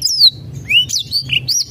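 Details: Black-throated canary (Crithagra atrogularis) song, used as a lure to prompt a reluctant singer: a quick run of high, sweeping whistles and twitters, some rising and some falling, over a faint low hum.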